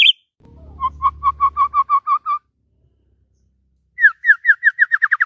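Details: White-rumped shama in excited morning song: a row of about ten even, mellow whistled notes, a pause, then a faster series of bright downslurred whistles, with a low hum briefly underneath.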